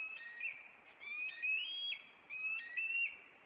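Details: Bald eagle nest pair in Maine on April 26, the male flying at an intruder and perching on a branch. Piercing whistled notes rise and step upward in two bursts.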